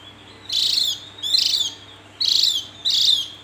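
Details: Javan grey-throated white-eye giving four rasping, buzzy high bursts in quick succession, each about half a second long, with short gaps between them and a soft constant hum underneath.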